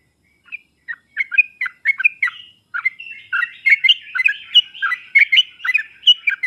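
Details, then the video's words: Sooty-headed bulbul song used as a master lure recording to draw a reluctant bird into singing: quick bubbly chirped notes, sparse at first, then a dense, steady run of short warbled phrases. "pancingan dan masteran trucuk paling cepat di sambar trucuk malas/susah bunyi langsung nyaut"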